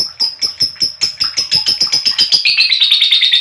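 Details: Chirping from a lovebird, used as a lure for other lovebirds: rapid shrill chirps that speed up and blend into a dense, high chattering trill toward the end.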